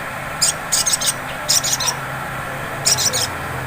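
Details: Sunbird song in ngleper style, a lure to get other sunbirds singing: three clusters of fast, very high rattling chips, each burst under a second, with gaps between, over low steady hiss.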